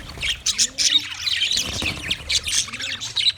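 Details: Chirping from white male budgerigars during mating; harsh squawks and rapid high chirps in separate bursts, with a few soft lower gliding notes in between.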